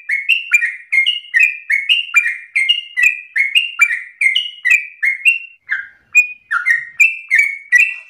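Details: Sooty-headed bulbul singing a pushy ropel sequence for use as tutor bait: quick repeated chirps with falling tails, a brief gap near the middle, then more spaced, higher notes.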